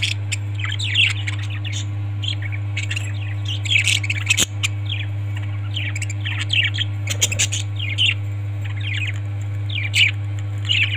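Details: Parrots chattering in a group, with repeated short rising chirps and occasional harsh squawks scattered through the recording. A constant low hum runs underneath.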